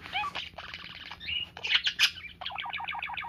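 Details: A pet parakeet playing with its owner's fingers, a sign of trust, chatters in quick, scratchy chirps and warbles, ending in a fast run of short repeated notes, about three or four a second.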